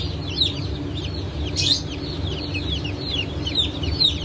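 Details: Day-old chicks of Brahma, Sultan and Appenzeller breeds, with pheasant chicks, from a hatch on 9 May 2024, giving sharp high descending peeps, including one louder burst midway, above steady machine-like hum.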